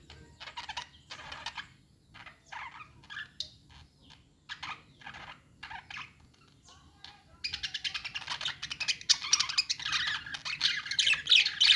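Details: Pet-store budgerigars give scattered short chirps and twitters for about seven seconds, then a loud, continuous chorus of overlapping buzzy warbling and sharp chirps fills the rest.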